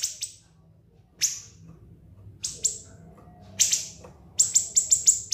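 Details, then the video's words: Siri-siri master recording for teaching other songbirds: spaced single shrill high notes with pauses, ending in a quick row of five piercing chips. "MASTERAN BURUNG SIRI-SIRI NGEBREN SUPER PEDAS TEMBAKAN TAJAM & SUPER PANJANG"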